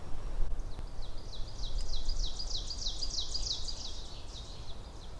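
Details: Ovenbird song in forest, about four males singing in sequence around the listener: a quick run of high, ringing two-part phrases that swell louder over about three seconds, over a steady low rumble.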